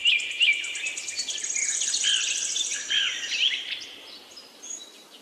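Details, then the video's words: Birds chirp together in a thick layer of sharp, high twitters and rapid trills, with a quick rattling series early on that thins into sparse notes. "Beautiful Bird chirping sound"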